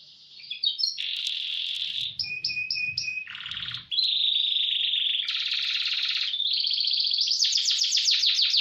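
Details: Vigorous canary song used as training tutor, roll speed style: successive tours of whistled notes, a low buzzy rattle, then dense fast rolls rising toward the end, a soft low thumping underneath midway.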